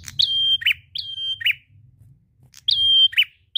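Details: Prinia song meant to lure other birds into singing: a sustained high flat whistle followed by a short buzzy lower note, phrase repeated three times with a pause in the middle.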